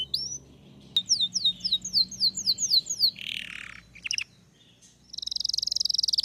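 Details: A Belgian canary sings a varied strain. A series of rapid descending whistled notes comes first, then a raspy burst and a few sharp clicks. It ends in a fast, even, high trill.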